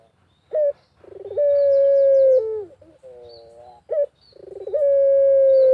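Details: Barbary dove, pelung variety, calling actively in a rural outdoor setting as a lure: a sharp short rising note, then a long smooth drawn-out coo that falls gently and ends with a dip, the pattern starting again after a quieter wavering phrase.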